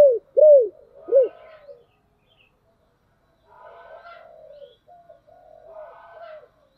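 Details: Spotted dove decoy with a deep 'thổ đặc' style voice calls to provoke wild doves: three loud, arched, low coos open the recording, followed by softer, more distant cooing phrases.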